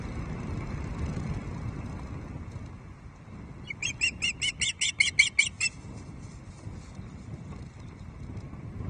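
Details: Female Osprey at Loch Arkaig nest on 5 May 2023, moaning at the male after a second fish arrives in the evening; a quick run of about ten sharp, high whistled chirps over two seconds, with low rumbling background noise.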